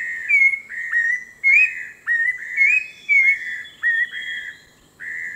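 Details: Orange-breasted laughingthrush from the Langbian Plateau highlands of southern Vietnam, a bird of forest edge and thick scrub; repeated short whistles, each slurring upward then flattening, about eight notes in five seconds, separated by brief pauses.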